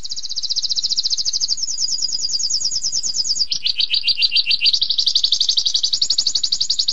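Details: Canary giving long-duration 'tembakan pedas' song: a fast high trill, a drop to a lower coarse rolling trill, then back up to a bright, rapid stream of repeated notes.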